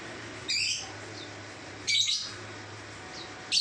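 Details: Lovebird in 'ngacor' singing form, giving three separate short shrill chirps spaced over a second apart, each a harsh high burst, with a faint low hum underneath.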